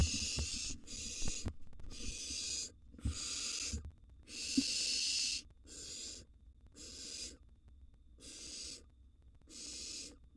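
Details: Wild barn owl nestlings in a monitored nest box during a feeding frenzy as mouse prey is dropped in: about nine harsh, breathy hisses, each near half a second, repeating roughly once a second, with low scuffling below.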